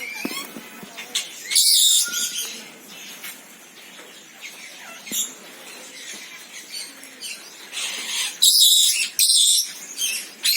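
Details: Senegal parrot mixing scattered squeaks and brief whistles with a few loud harsh squawks, notably near two seconds and between eight and ten seconds.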